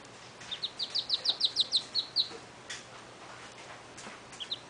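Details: Rescued baby Mallard duckling, which later died, gives a quick run of about a dozen high, clear peeps, several per second, then two softer peeps after a short pause.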